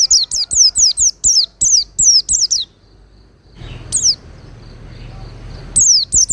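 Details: Oriental white-eye song used as master audio for training cage birds: bursts of high, thin, sharply descending whistled notes, about seven in quick succession, a pause, then further slurred notes with faint background hiss.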